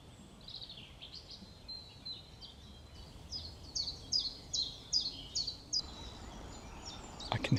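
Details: Great Spotted Woodpecker, heard but unseen up a tree by a hedgerow at the rewilded Knepp Estate, West Sussex, gives sharp, high, clipped notes about one per second over soft rural noise and a brief handling rustle.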